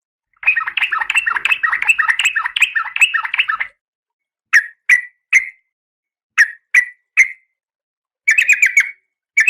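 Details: Female oriental magpie-robin in breeding condition calling the male: a three-second burst of rapid, harsh, scratchy chattering, then short rasping single notes in groups of two or three, ending with another brief chattering burst.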